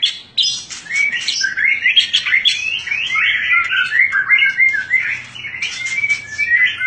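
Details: White-rumped shama, a fighter bird with varied fighting styles, singing a rich, continuous run of whistled and chattering phrases that rise and fall quickly, with a low hum beneath.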